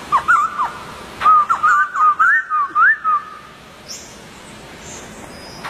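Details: Wild White-crested Laughingthrush: a few short whistles, then a quick series of looping, rising whistled phrases lasting about two seconds before the bird falls quiet.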